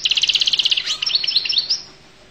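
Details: A rapid buzzy trill of evenly repeated notes from a goldfinch, breaking into a few thin slurred twitters before fading.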